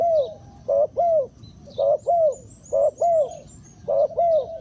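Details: Decoy spotted dove calling to lure wild birds: loud, close, soft-edged coos in pairs, a short note then a longer falling one, each pair about a second apart, with faint twittering of other birds behind.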